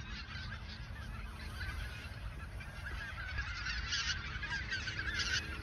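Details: Geese in the Ochsenmoor nature reserve during autumn 2022 ahead of migration south; a chorus of honks that grows louder toward the end, with low rumbling background noise.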